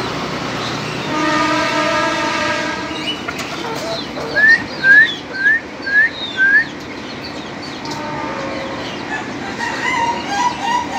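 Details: Young Ayam Ketawa (laughing chicken) crowing: a run of six short, bright, upward-sweeping notes spaced about every half second, following a steady droning hum, with small birds chirping throughout.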